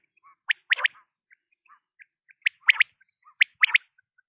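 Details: Quail with loud three-part calls, a short note then a rapid pair, given three times, with soft faint chirps scattered between the phrases.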